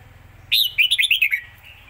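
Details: Rapid zone song from a Red-whiskered bulbul: a ringing initial note, then a quick chain of six slurred whistles tumbling downward, over in under a second.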